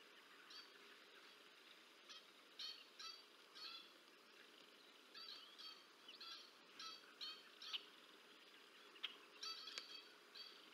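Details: Bald eagles at the Decorah North nest on 30 March 2024, an adult female feeding two chicks. Faint, high, thin chirps and peeps come in short clusters every second or so over steady quiet background hiss.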